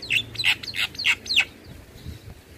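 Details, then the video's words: Black-winged starling song recorded as training audio for other birds: five loud harsh, buzzy chattering notes in quick succession, then quiet. "Masteran Semua Jenis Burung Jalak Dengan Suara Jalak kebo Full Manggut2"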